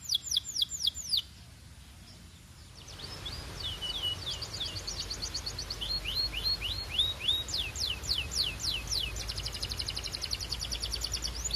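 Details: A canary sings steady repeated tours of sharp falling whistles and fast buzzy trills, with a quiet gap early on and constant hiss in the background.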